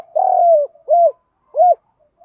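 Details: Decoy spotted dove calling wild doves in, loud and close: a long drawn coo dropping in pitch, then two rounded hollow coos spaced about half a second apart.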